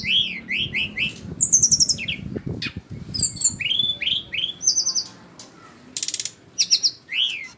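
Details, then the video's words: Flycatcher song of repeated rising-and-falling slurred whistles mixed with high thin notes and a short buzzy burst, lively and irregular, with faint low rustling underneath. "burung sikatan rimba"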